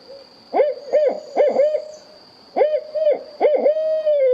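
A Barred Owl gives two rhythmic bursts of deep, throaty hoots, three quick notes each, the last drawn out into a long, falling hoo; a faint steady hiss runs behind.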